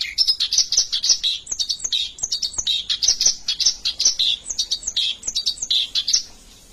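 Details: Oriental reed warbler of the white-browed (alis putih) type in full gacor ngerol song, an unbroken rolling delivery: fast scratchy chatter, grating churrs and sharp squeaks packed in quick succession with no gaps.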